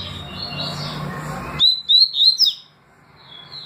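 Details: Double-collared seedeater with its tui tui and deputado song: a crisp series of four high, clean whistles, some sliding upward, ending abruptly into near silence, after a noisy lead-in.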